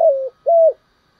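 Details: Decoy spotted dove delivering two drawn-out low coos, the first slightly falling and the second level, separated by a brief pause.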